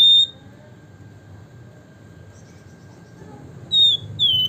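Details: Javan fulvetta, locally flamboyan, in gacor nyiul song: one short, high, clear whistle, three seconds of near-silence, then two more whistled notes, the last sliding downward.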